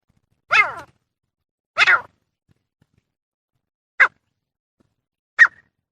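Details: Female francolin with two drawn-out, downward-sliding nasal calls followed by two brief sharp notes, separated by pauses.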